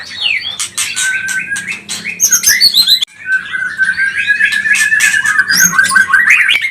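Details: Agitated white-rumped shama of the pastol type, recorded as a provoking lure. Rapid mixed phrases give way after a short break to a long trilled run of fast, evenly repeated notes that climb at the end.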